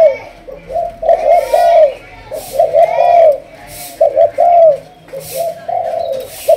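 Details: Malaysian spotted dove, 'thúc gù' coo line, in decoy training: loud, rich coo phrases in paired rhythm, punctuated by regular sharp clicking bursts.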